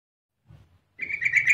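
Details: Female yellow-vented bulbul calling to lure males into singing: after a soft low thump, a loud, fast, buzzy chatter begins and is cut off mid-burst.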